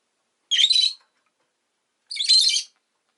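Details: Pet Agapornis roseicollis gives two raspy, shrill chirp bursts, each about half a second long, roughly one and a half seconds apart.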